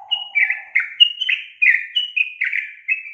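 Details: Sooty-headed bulbul lure song to stir a young bird that will not sing. Clear, rapid whistled notes, each a short high note sliding down into a bubbly burble, repeated about three times per second, with a faint low chatter at the start.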